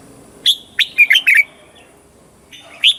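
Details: Caged red-whiskered bulbul from Thailand in southern master-style song, played to train young birds: a rapid cluster of sharp, whistled notes sliding downward, then a lone bright note after a short pause.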